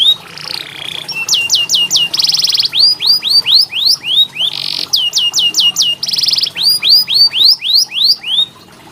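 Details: Canary tutoring song used as therapy for canaries slow to sing: a short wavering whistle, then quick falling notes, a dense buzzy roll and long runs of sharp rising sweeps, all repeated twice.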